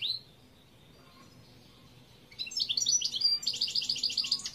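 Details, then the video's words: European goldfinch recorded in 2021, a burst of bright twittering starting midway: fast, tinkling high notes in rapid succession, rising into a rhythmic run of repeated liquid chirps near the end, after a quiet opening with one thin note. "Chant Chardonneret"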